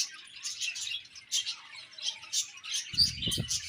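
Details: Budgies twitter in a steady stream of short, squeaky high chirps, with a low rumbling thump near the end.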